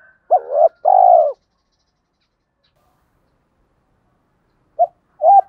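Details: Spotted dove giving 'thúc' and 'gáy gọi' coos, used to train new and decoy doves; two quick low hooting notes open the clip, a long pause follows, then two short coos at the end.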